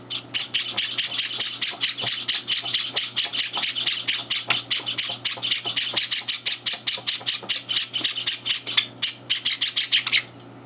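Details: Young Java sparrows, in their third day at home, clamouring for food at breakfast with older birds joining in; a long, fast, nearly continuous stream of piercing high chirps that ends abruptly.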